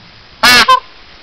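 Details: A peacock on a wall in Gwydir Forest above Llanrwst, Conwy, North Wales, gives one loud, harsh two-part scream: a brassy blare, then a shorter, higher nasal note, with quiet background around it.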